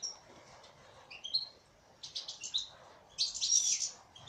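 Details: Female European goldfinch gives scattered high tweets, then a burst of rapid chirps and ends on a dense, bright twittering flourish.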